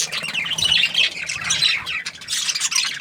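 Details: Budgerigars chirping happily, a busy stream of scratchy high warbles, squawks and short whistled notes from more than one bird, overlapping without break.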